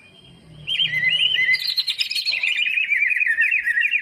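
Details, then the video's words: Greater green leafbird song used as a lure to get lazy birds singing: a long, rapid run of bright chattering and whistled notes, starting high and sliding into a steady warbling stream without pause. "burung cucak ijo full isian buat pancingan yang malas bunyi"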